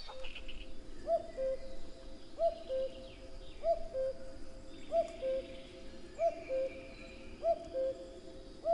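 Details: Steady, evenly paced common cuckoo song, cu-coo repeated seven times at roughly one-and-a-quarter-second intervals, each a brief high note followed by a lower sustained tone, over soft background birdsong.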